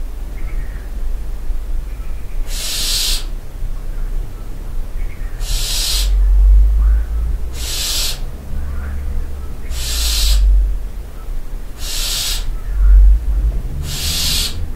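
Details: Barn owl at night in a castle dovecote at Barbirey-sur-Ouche, giving six harsh, hissing screeches, each about half a second long, roughly every two seconds, over a low rumble of wind.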